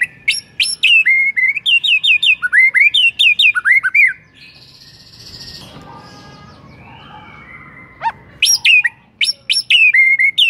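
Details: White-rumped shama song played to make other shamas start singing: dense bursts of varied whistled phrases and sharp downward sweeps, a quieter middle stretch with soft rasping sounds, then renewed rapid phrases.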